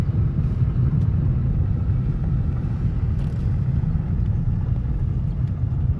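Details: Steady low vehicle rumble fills the whole stretch, with no animal calls heard.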